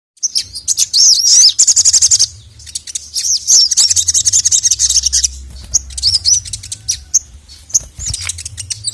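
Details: Crimson sunbird (sogon) calling to a male, a recording used for training songbirds: high, thin chirps and fast buzzy trills in bursts, with bouncing whistled notes, a long trill near the start and short chirp series later.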